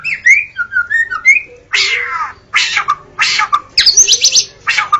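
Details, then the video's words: White-rumped shama singing at dawn, used for luring shamas. Rich, varied whistled phrases give way to sweeping buzzy notes, then high, clear whistles. A faint low hum runs underneath. "Suara burung murai saat Fajar"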